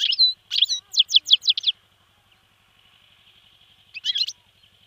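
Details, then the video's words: Caged European goldfinch caught on 28 December 2011 near Stolac, singing short bursts of bright, rapid twittering notes, a quick run of slurred chirps, then a pause before another brief tinkling phrase; a faint steady hum underneath. "Stolacki Stiglic,Grdelin"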